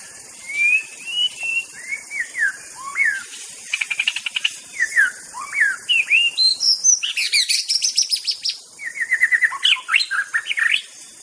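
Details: White-rumped shama (murai batu) singing in the wild, varied whistled slurs, a fast rattling trill and high sweeping notes in a long flowing song, over steady insect hiss.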